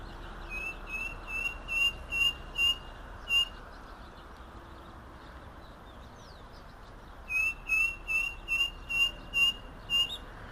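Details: Striped cuckoo giving two bouts of short, clear, high whistles, about six evenly spaced notes each, separated by several seconds of quiet background.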